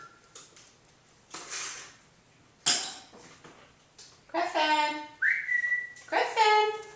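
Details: Pet parrot chattering indoors and asking about peanuts or popcorn. Speech-like syllables and one clear rising whistle that holds steady, followed by harmonic talking bursts. Human voices are also present in a small room.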